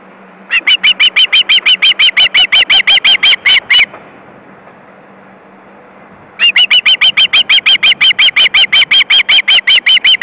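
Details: Osprey chick screaming on a nest in Estonia on 22 August 2012 at 13:18; rapid strident squeals about three a second, a pause of roughly two and a half seconds with only low hum, then the shrill series resumes.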